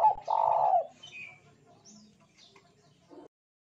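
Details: Spotted dove song used as a lure to set other doves singing: a strong sustained coo at the start, then faint scattered chirps over a low background hum, and a short closing coo.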